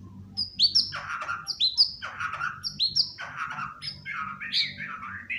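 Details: Uncaged white-rumped shama at play on a sofa, repeating a phrase of a sharp high note dropping into a warbled lower whistle about once a second, over a steady low hum.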